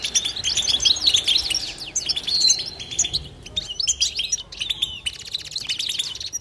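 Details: European goldfinch batbata twittering, continuous and pause-free, packed with quick tinkling chirps, rolling trills and brief nasal buzzes, rising and falling in bursts, briefly thinning in the middle before resuming at full pace.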